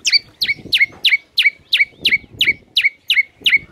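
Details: White-rumped shama, played as a morning lure to get birds singing: a steady series of sharp, downslurred notes about three per second, each ending on a brief lower tone, over soft low background noise.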